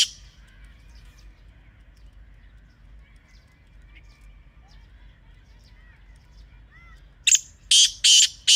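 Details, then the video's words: Black francolin (kala teetar), Pakistan, natural surroundings: a long quiet stretch with faint distant chirps, then near the end a loud harsh phrase of four rasping notes. "Real Kala Teetar Sound"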